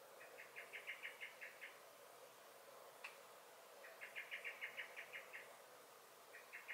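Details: Common blackbird (Turdus merula) alarm calling in a garden, 23 May 2021: repeated rattling series of about ten fast, hard chinks, a single sharp click between bursts, then a third series beginning at the end.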